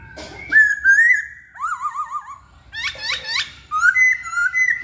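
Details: Masked laughingthrush in full song, a lively run of rich whistles: a level whistle, a wavering trilled warble, a quick series of steep downslurred notes, then slurred whistles again.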